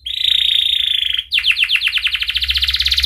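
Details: Canary in full song, used to train young canaries and restart birds that have gone silent: a sustained buzzy high note lasting over a second, then a rapid, accelerating series of repeated chirping notes.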